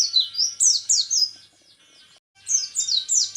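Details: ["Orange-headed thrush, a national champion candidate, in 'tembakan repet' style: quick bursts of shrill, slurred whistles descending in pitch, then a brief silence before another rapid run of sharp notes."]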